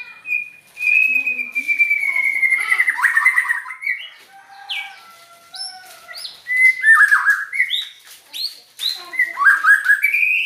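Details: White-rumped shama said to have an odd voice: a long, slowly falling whistle opens, followed by varied chirps, upward-sweeping notes and quick warbled phrases delivered in irregular bursts.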